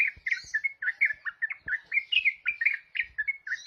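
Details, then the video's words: Ruby-throated bulbul (ropel) in the trucuk song style: quick, bright chirped notes strung together in a bouncy, stuttering phrase, several notes each second, with faint low knocks beneath. "Trucuk Ropel"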